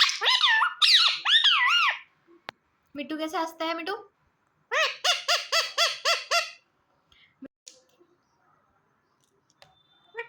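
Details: Pet ring-necked parrot talking: human-like words rendered in wavering, nasal syllables, a quick series of repeated clipped sounds, a short pause, then another fast run of eight similar syllables before falling quiet.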